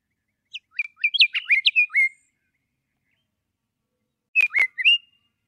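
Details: Scott's Oriole song: a rich phrase of clear, slurred whistles, some rising and some falling, with a few sharp clicks mixed in. A pause follows, then a shorter whistled phrase of three or four notes. The background is quiet.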